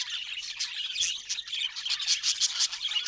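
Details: Pet budgie warbling continuously, with rapid high squeaky notes and clicky chirps tumbling over one another at an irregular, quick pace, growing slightly louder toward the end.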